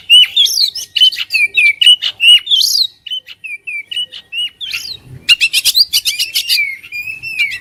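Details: Oriental magpie-robin in full, vigorous song: loud, clear whistled phrases with sharp upslurred and downslurred notes, rapid bursts of harsh chatter and ringing trills, delivered almost continuously with short pauses, no other sounds clearly heard.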